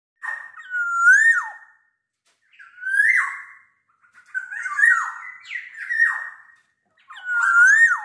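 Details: Black-naped oriole singing at night: rich, fluty whistled phrases that slur up and down, four phrases about every two seconds with silent gaps between, each ending in a brief scratchy, higher flourish; no other sounds.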